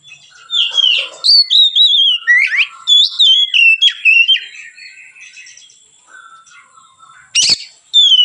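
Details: White-rumped shama singing in a relaxed way, a song used as a training lure for other birds: loud whistled phrases sliding down from high notes, with sharp buzzy bursts, a quieter pause in the middle, then a burst at the end.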